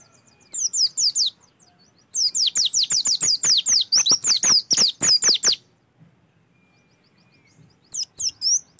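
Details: Oriental white-eye song used as a prompt to make kept white-eyes sing: a short high phrase, then a long, even run of sharp downslurred whistles, a quiet gap, and a few more notes.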